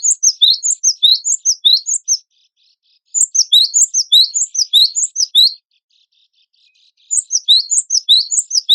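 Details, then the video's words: Cinereous tit (gelatik batu wingko) from a compilation of songs for contest birds. Repeated runs of rapid, thin, high chirps, each run two to three seconds long, are split by short silences. "MASTERAN GELATIK BATU WINGKO GACOR FULL MATERI ISIAN KOMPILASI SUARA BURUNG LOMBA"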